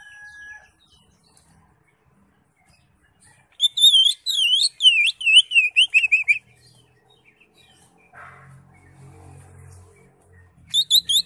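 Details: Crest-raised greater green leafbird in full song: after a quiet start, a loud burst of rapid, high, twisting slurred notes for about three seconds, then low rustling, and a final high phrase.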